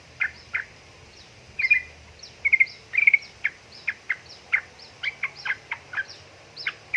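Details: Sooty-headed bulbul female calling a male, giving a steady string of short, bright chirps, some doubled or in quick triplets, spaced about every half second, over a soft low background hum.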